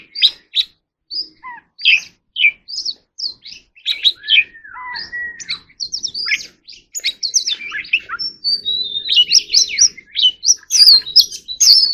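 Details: Oriental magpie-robin (Copsychus saularis) singing a rapid, varied run of clear whistles, chirps and slurred falling notes, mostly high-pitched with scratchy twitters between phrases.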